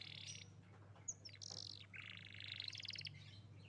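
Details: Young canary singing as a lure for canaries that have stopped: buzzy trilled phrases and a rising rapid rattle of notes, moderately loud over a steady low hum.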